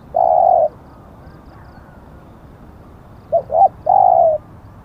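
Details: Spotted dove cooing during decoy luring that ended in a captured bird: one long flat coo, a pause of nearly three seconds, then two quick short notes and another long mellow coo.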